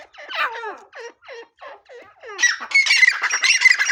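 Grey francolin giving harsh, squawking notes about twice a second, each sliding downward, then breaking into a dense, shrill burst of overlapping calls.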